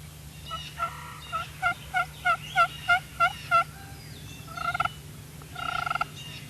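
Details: Wild Turkey in Harrison County, Kentucky, on a spring hunting morning on farmland, possibly an approaching hen: about nine evenly spaced nasal notes, then two quick rattling gobbles, over a low steady hum.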